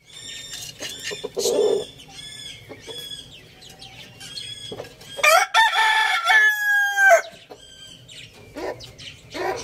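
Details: A rooster crowing loudly: a series of harmonic, strained calls in the first half, then a long, loud crow with rich stacked overtones sliding downward near the middle, followed by quieter clucks and shorter calls.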